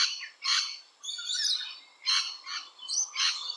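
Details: Rainbow lorikeet at a nesting hole in Australia, uttering loud, raspy screeches in bursts roughly half a second apart, rising and falling in intensity.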